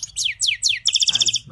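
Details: European goldfinch during mating, a quick series of descending slurred notes followed by a rapid tinkling trill, high and bright, over a faint low hum.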